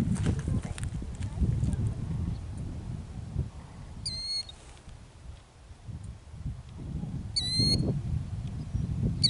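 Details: Killdeer at a ground nest in Kananaskis, Alberta, Canada, guarding its eggs with an injury-faking distraction display. Two loud, piercing calls with stacked overtones ring out around four and seven and a half seconds, over steady low wind or handling rumble.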